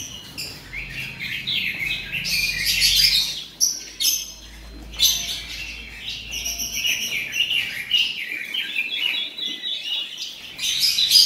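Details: Caged male Oriental magpie-robin delivering a long run of busy, high chirps and buzzy warbles, with a faint low hum underneath.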